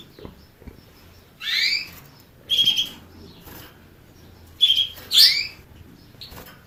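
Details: A canary gives four bright, clear chirping phrases: rising, slightly buzzy sweeps and one level whistle, spaced about a second apart after a quiet start.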